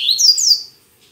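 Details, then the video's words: Double-collared seedeater in full song on a Saturday morning, still weak but singing a lot; bright, high sweeping whistles slide downward in quick succession, then fade to near silence. "Coleiro Mack Cantando Muito Pela Manhã"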